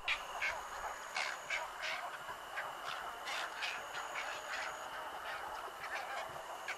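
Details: Western Cattle Egret flight call, given occasionally in flight: hoarse, croaking calls about three times a second, harsh and duck-like, over a thin steady high whine in the background.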